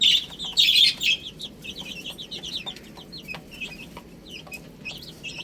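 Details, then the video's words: Baby chickens eating spinach; a loud cluster of high, downslurred peeps in the first second, then scattered short chirps repeating irregularly about every half second, over faint low background rumble. "Adorable Little Chicks Chirping Sounds"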